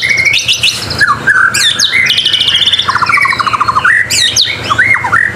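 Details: Murai batu, the white-rumped shama, singing energetic gacor masteran: rapid alternation of whistled upslurs, sharp downward sweeps and rattling trills in quick succession, phrases barely pausing over five seconds.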